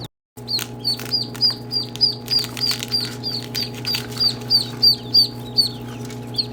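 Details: Ducklings peeping in a fairly regular run of sharp, high, downward-flicking notes, about three each second, over a low steady hum.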